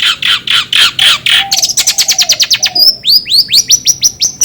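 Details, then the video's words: Long-tailed shrike starting with rough, buzzy squawks, then a fast even train of ticking notes. It finishes with a string of sharp, down-slurred whistled chirps. "DENGAR SUARA INI CENDET JADI ON"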